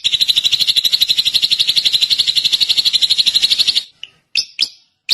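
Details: A drongo sings a sustained, fast, even trill of high pulsed notes for almost four seconds, then a few sharp separate chirps.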